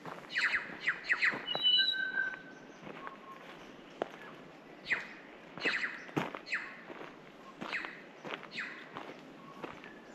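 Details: Unedited recording from untouched Pureora Forest, New Zealand: bellbirds mix harsh, scratchy squawks and clicks with a few clear, bell-like held tones, in irregular bursts about twice a second over quiet forest background.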